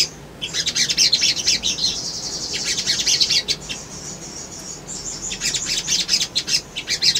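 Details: Sunbird male song for luring birds to respond and seek a rival: sustained high, rapid, sizzling twitter over several seconds, a brief lull, then renewed fast chattering with sharp chips.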